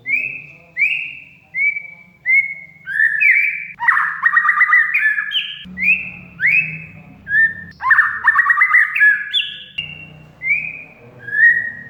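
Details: Kacer, the oriental magpie-robin, in full gacor song meant to rouse fighting spirit and breeding drive in a mute bird: short downslurred whistles repeated about every second, broken by dense rapid chattering bursts and rising phrases.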